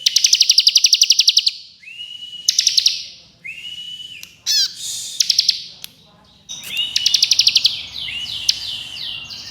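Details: Bar-winged prinia with varied 'ngebren' song: long fast ticking rattles, short flat whistles, and clipped bursts in quick succession, closing with a dense ticking phrase mixed with sweeping high notes.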